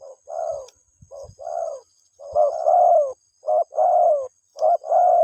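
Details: Mate-calling spotted dove giving about five mellow coo phrases, each a clipped opening note running into a longer slurred, dropping coo, with faint low thumps behind.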